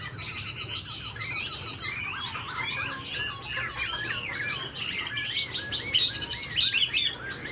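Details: Chinese hwamei, a tame caged bird, with fanned tail and eagle-like wing display. It gives a dense run of fast whistles and trills, phrases jumbled and overlapping, growing louder toward the end, over a steady low hum.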